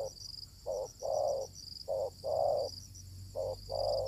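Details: Wild spotted dove, called fierce, met while luring with a decoy: three evenly spaced short-long pairs of rich low coos, with high insect noise and a low background hum.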